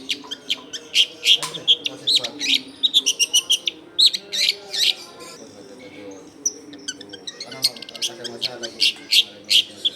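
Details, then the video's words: Long-tailed shrike's lively lure song for attracting wild shrikes: dense, rapid run of harsh chattering notes and high whistles, a brief lull midway, then more fast scratchy bursts; faint low background rumble. "SUARA CENDET GACOR AMPUH BUAT PANCINGAN CENDET BAKALAN"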